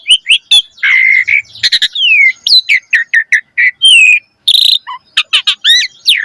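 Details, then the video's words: Lively gacor mompa song of a Javan pied starling, used as a lure for young birds. It mixes sliding whistles, buzzy notes and quick chirps, with one long downslurred whistle near the middle. "Pancingan Jalak Suren Gacor Mompa Masteran Burung Jalak Muda Cepat Bunyi Gacor Full Isian Mewah"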